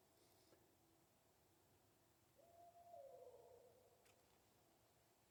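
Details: A single drawn-out Barred Owl hoot at night from an owl out in front of the recorder, holding a steady pitch then slurring downward at the end, heard faintly over quiet background.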